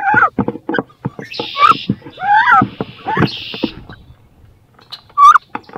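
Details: Two female wood ducks fighting over a nest box where both want to lay and incubate; a few rising squealed calls among thumping, scraping and wing-flapping noises.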